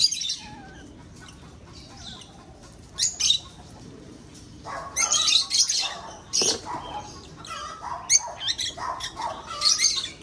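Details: Lovebirds in a breeding aviary are quiet at first, then a few shrill calls lead into loud bursts of harsh, high chattering.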